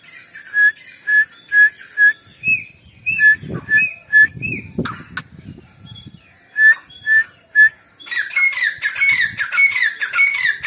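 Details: Female grey francolin (teetar) calling, recorded 29 November 2022: clear notes repeated about twice a second in short runs, broken by scratchy noise, ending in a dense, harsh, ringing chorus of overlapping notes.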